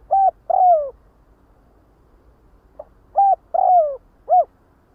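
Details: Calling the flock, a spotted dove gives two three-part cooing phrases: brief coo, drawn-out falling croo, then a short final coo, separated by a quiet pause.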